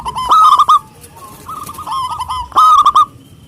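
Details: Local zebra dove, a frequent and loud singer, cooing to call rivals. Three loud stuttering phrases of quick repeated pulses, the middle one softer, all on a level pitch.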